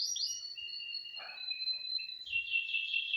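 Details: Canary practising song on a Thursday morning, 18 December 2025, with long, level whistled notes that slide slightly, followed by a short low churr and a burst of dense buzzy trilling.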